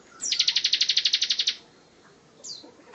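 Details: A single rapid 'tembakan rapat' burst from a bar-winged prinia, recorded as learning material for other songbirds: about fourteen fast, evenly spaced buzzy notes in just over a second, then quiet with one faint chip.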